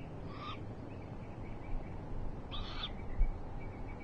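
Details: Eurasian eagle-owls filmed by a live owl camera on 21 March 2023 after rain, recorded from the stream: two short, hoarse, rasping calls about two seconds apart over a constant low rumble.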